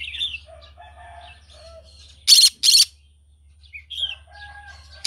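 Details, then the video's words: Morning singing from a green cheek conure, soft squeaky chirps and short whistled notes, broken by two loud raspy screeches in quick succession midway, then more quiet chatter and a final harsh burst; faint low hum underneath. "Green cheek conure singing sounds in the morning"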